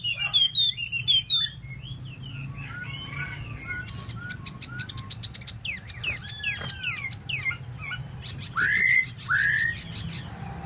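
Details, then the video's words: Tieu mi bird pouring out a varied medley of high chirps, sweeping whistles and trills, ending with two loud rising whistled notes, low hum throughout. "Tieu mi de ban choi solo"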